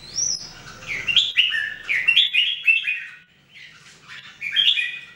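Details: Red-whiskered Bulbul among three caged birds trained to sing daily: a high sliding whistle opens, followed by a run of quick warbled notes, a pause, then another chirpy phrase.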